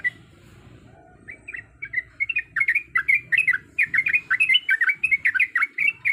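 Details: After a quiet start, a female Sooty-headed bulbul in breeding condition, calling males, breaks into a fast chattering run of bubbly, slurred notes that grows louder and denser.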